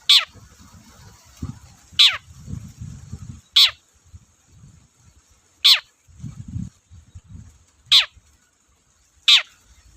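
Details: Long-tailed shrike (cendet) lure sound: six sharp, descending, raspy notes about every one and a half seconds, over a faint steady high hiss and low rumbling background noise.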